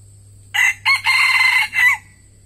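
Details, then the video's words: A red junglefowl decoy, used to attract wild birds, crows loudly in a four-part phrase, with a clipped start, a quick second note, a long level stretch and a brief falling ending, against quiet background hum. "AYAM PIKAT TEDUNG BERAKSI"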